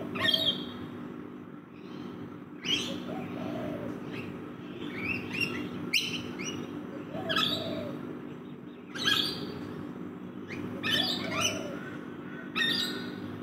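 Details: Rainbow lorikeets feeding in a backyard: loud, scratchy screeches and chattering bursts recur every second or two, some notes sliding upward, over a continuous low hum.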